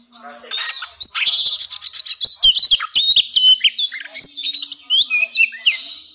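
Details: Oriental magpie-robin fighting song, a caged contest bird's sound used as a mental test to raise breeding drive before a competition; rich, rapid whistled phrases, sharp upslurs and harsh notes in dense bursts, with a faint low hum underneath.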